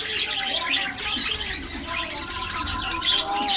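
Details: Budgerigars in an aviary in the morning, getting a diet treat: dense, continuous high chirping and warbling chatter from many birds, with faint lower tones underneath.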